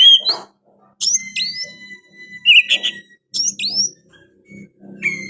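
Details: Oriental magpie-robin song containing sooty-headed bulbul phrases: clear whistles, upslurred notes and brief trills delivered in spaced bursts over a soft low hum.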